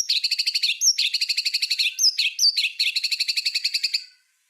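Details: White-rumped shama, a master song recording for tutoring other songbirds, in the rapid 'tembakan' style: fast bursts of ringing repeated notes, about 150 per minute, broken by sharp upslurred whistles, with no other sounds.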